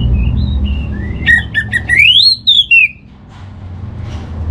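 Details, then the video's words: Kept orange-headed thrush song, played to coax another bird into singing; quiet fluting notes, a few sharp chips, then a long whistle climbing and falling, followed by near silence. "Buat Pancingan Burung ANIS MERAH Agar Gacor"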